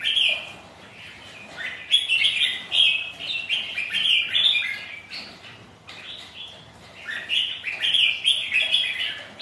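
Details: Rival red-whiskered bulbuls singing against each other in wind and rain, pouring out rapid jumbled chirping phrases in two long runs separated by a brief lull, rain hissing underneath.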